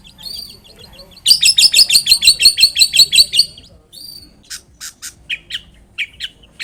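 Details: Long-tailed shrike in vigorous song, intended to draw a reply from other shrikes: a fast rattling burst of a dozen harsh notes, then spaced squeaky clicks and short chirps.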